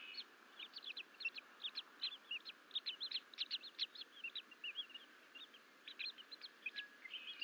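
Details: Twin bald eagle eaglets, alone in a Fort St Vrain, Colorado nest on 14 April 2024 while a parent is away, crawling out of the nest bowl. Dense bursts of high, squeaky chitters come in quick irregular clusters, with a constant background hiss.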